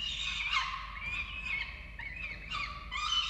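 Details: Chick feeding at a falcon nest camera in Orange, Australia, 13 November 2022; three birds present. Scratchy, quavering wails with looping, upswept notes run almost without pause.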